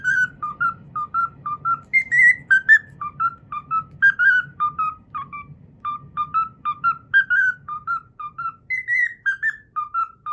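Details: Pet cockatiel performing the Pythagora Switch opening theme it has learned, a steady run of short whistled notes in hopping pairs with occasional higher slurred notes, over a continuous low background rumble.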